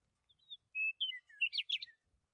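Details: A single bird phrase among wind-swayed trees. Thin, drawn-out whistles lead into a fast, buzzy cluster of high chirps and trills lasting about a second, then the phrase fades out.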